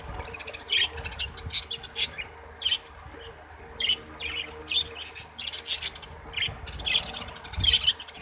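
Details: Budgerigars, kept as Australian parrots, giving short chirps and scratchy warbled notes in irregular bursts, several overlapping, with sharp broadband clicks between them and a soft low rumble underneath.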